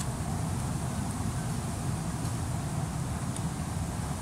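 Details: Constant low rumble of wind or traffic fills the recording, with no animal call heard.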